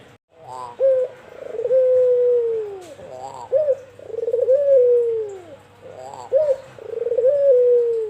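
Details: Pure white albino collared dove, a caged bird calling eagerly, repeating its coo phrase about every three seconds: a quick stuttered burst followed by a long, low, smooth note that slides downward, in a quiet indoor setting.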